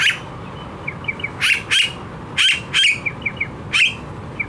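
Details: Australian blue-faced honeyeater mixing loud rasping squawks in close pairs with soft quick chip notes in between, a busy chattering sequence over low hum.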